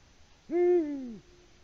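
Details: One deep hoot from a male Eurasian eagle-owl courting an absent female, Latvian live camera, early evening 6 March 2019. The tone scoops upward, stays level briefly, then glides lower over roughly half a second before silence.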